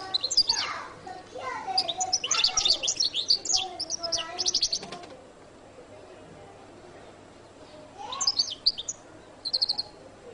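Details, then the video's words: Goldfinch singing the jilguero latino song: a fast, dense run of sharp high twitters and trills for about five seconds, a quiet pause, then two shorter bursts of bright chirps. "canto de jilguero latino prt2"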